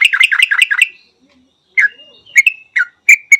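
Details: Yellow-vented bulbul gives a quick run of about six bright, bouncing chirps, falls quiet, then adds several scattered sharp whistled notes.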